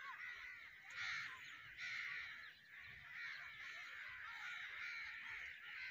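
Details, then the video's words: A roosting crow flock gives a constant wash of harsh, shrill caws, with louder surges standing out from the massed chatter. "Crow black bird roost shrill"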